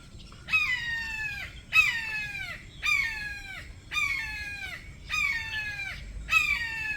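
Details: Wild Red-shouldered Hawk, a shy and loud visitor, calling from just above a captive hawk's mews while still out of sight: six harsh, downslurred screaming cries with strong overtones, spaced about a second apart, over a low background rumble.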